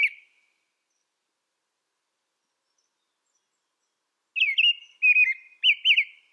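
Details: American robin song: one brief whistled note at the start, then a long silence, then three quick caroling phrases near the end, rising and falling in a lilting pattern.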